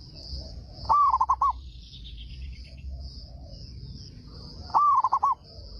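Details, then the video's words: Local Zebra dove singing loudly to draw replies from other doves: two rapid phrases nearly four seconds apart, each a rising note and then a tumbling run of short coos, with a faint high whine throughout. "PERKUTUT LOKAL GACOR SUARA BESAR PEMANCING PERKUTUT LAIN PADA NYAUT"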